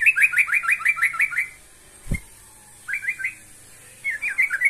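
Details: Yellow-vented bulbul calling a rival with fast chattering phrases of quick downslurred notes, a sharp knock in the middle, then two shorter bursts of the same bubbly notes.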